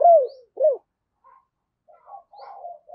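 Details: Decoy spotted dove giving thúc and gáy calls to attract wild doves. Two loud, short, downward-curving coos open the sequence, followed by softer, broken cooing notes.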